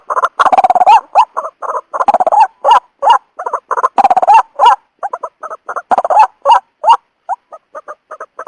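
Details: White-breasted waterhen call used as a trapping lure: loud, harsh croaking notes in rapid bursts, some drawn out and grating, others short and clipped, repeated almost three times per second with brief pauses between phrases.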